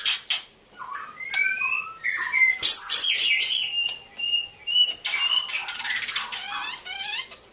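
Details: Female white-rumped shama, described as a fighter, singing: clear whistled notes that slide up and down, broken by harsh buzzy bursts and rapid chattering trills, with short pauses between phrases.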